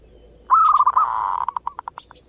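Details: Zebra dove, known locally as perkutut, singing its manggung coo to bait other doves: a quick trilled phrase that smears into a purr, then breaks into a string of fast, fading pulses over a constant high hum.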